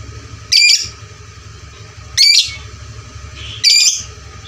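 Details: Lovebird sound meant for training fighter lovebirds, played loud: three separate shrill, rasping chirp bursts spaced about one and a half seconds apart, with a constant low background hum between them.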